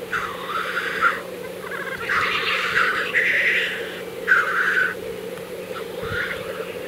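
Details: Black grouse at the lek in April 2024, Kologriv Forest, Russia: repeated harsh sneezing hisses follow one another over an unbroken low bubbling background.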